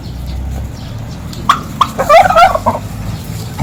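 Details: Village turkey gobbling: a few sharp clucks, then a fast rattling, bubbling gobble lasting about half a second, with faint background noise.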